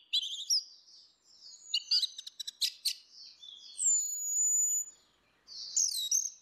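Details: Orange-headed thrushes, female against male, singing ngeplong as a lure for birds that will not sing: rapid chattering clicks and trills give way to long thin whistles, then renewed bright notes.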